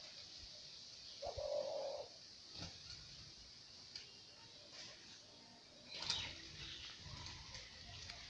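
A dove gives one low, hollow coo lasting under a second, set against a steady hiss and a few faint clicks and knocks.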